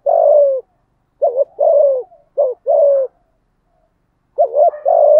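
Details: Spotted dove with a "giọng thổ" voice, cooing to stir up a rival male: low hollow coos in pairs, a short clipped note then a longer falling one, repeated about three times with short gaps, no other sounds.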